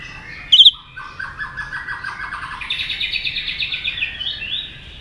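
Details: White-rumped shama, caged, stirred to fight-sing: a brief sharp high burst, then softer distant-sounding chattering trills and rolling whistled notes running on steadily.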